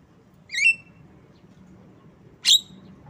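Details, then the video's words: Javan myna (jalak kebo) singing: a loud, wavering whistled note with a drawn-out tail, then nearly two seconds of quiet before one harsh, buzzy, downslurred burst. Only a faint low hum fills the gaps. "Bird Song Jalak kebo"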